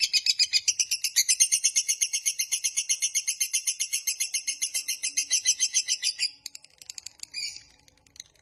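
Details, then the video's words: Long 'ngekek panjang' lovebird trill for luring and training other lovebirds: rapid, even, high chattering pulses held for about six seconds, then breaking into a few scattered chirps. "Suara MASTERAN Burung LOVEBIRD Ngekek Panjang Paling Cepat Dan Ampuh Untuk Memancing Durasi"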